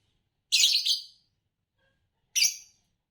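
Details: Green Fischer's lovebird of champion song-competition stock utters two rasping, high chirps, the first a longer doubled burst and the second shorter, separated by nearly two seconds of silence.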